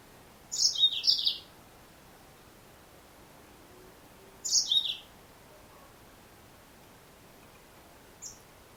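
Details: Female Yellow-fronted canary (Serinus mozambicus) calling in short bursts of high, scratchy chirps: two quick twittering phrases close together, another a few seconds later, then one faint lone note, with quiet hiss between.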